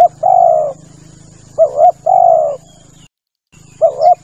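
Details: Male spotted dove hunting lure: three coo phrases, each a notched double note or a long smooth coo, over a low hum and a constant high hiss that briefly drops out.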